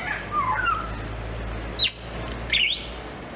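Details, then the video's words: Captive grey parrot at a zoo in Novosibirsk, recorded 12 July 2024, giving clear whistled notes: a falling slur, a sharp click, then a loud rising whistle sweeping upward and levelling off, over a low steady hum. "Попугай жако поёт"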